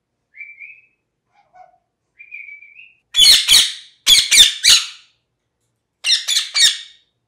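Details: Parrot starting with two soft, thin rising whistles, then breaking into loud, piercing, harsh screeches in quick groups of two and three.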